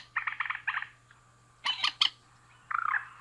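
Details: Male and female rail making a quick chattering run of soft notes, then two loud harsh squawks and a short grating trill, over a quiet steady hum.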